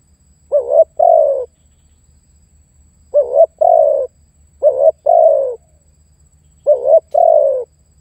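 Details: Spotted dove call for luring and challenging rivals: four double coos, a clipped wavering note leading into a longer sinking coo, two coming close together mid-sequence, light hum underneath.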